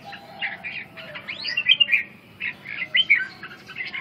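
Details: Red-whiskered bulbul delivering scattered whistled phrases, including a sweeping rising-falling note and clustered chirps around the middle, with pauses between bursts.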